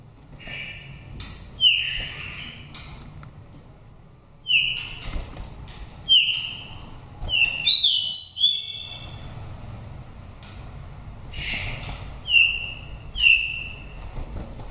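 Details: Oriental magpie-robin from a Dak Lak nest, Vietnam, five seasons old, with a pure wild-type voice used to excite birds into breeding condition or lure wild birds. Clear whistled notes, each dropping slightly, come every few seconds, with a brief rapid twittering flourish midway.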